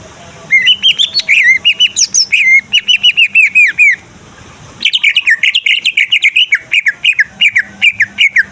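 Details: Lure song of a greater green leafbird, played to make other leafbirds sing and fight: long rapid sequences of loud slurred whistles and chirps, broken by a one-second pause, then a varied chattering series.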